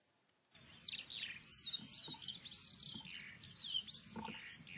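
A Eurasian Skylark pours out a continuous, high, rapid warble of chirps and short trills with hardly a pause, over a faint low hum.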